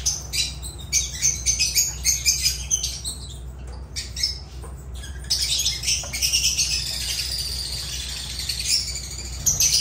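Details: Lovebirds (Agapornis) giving shrill, high squawks and chirps in rapid overlapping bursts, with a denser, continuous chattering stretch in the second half over a steady low hum.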